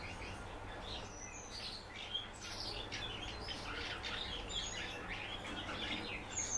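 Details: Captive common house martin chattering in a fast, irregular stream of high twitters and clicks, roughly two notes a second, over a soft low hum.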